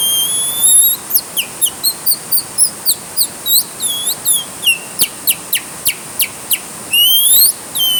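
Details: A bird sings while caught in the rain: a long run of high, sweeping whistled notes, some rising and some falling, a few seconds long, with a constant rain hiss throughout.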